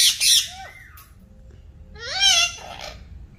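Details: Green talking parrot gives two harsh, raspy squawks about two seconds apart, each with a bending, slurred tone underneath; little else is heard.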